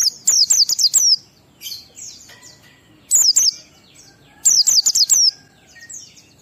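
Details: Oriental white-eye singing ngalas with 12345 beats, used to encourage other white-eyes to sing; repeated fast runs of five, three and five shrill downslurred squeaks, separated by quieter twittering.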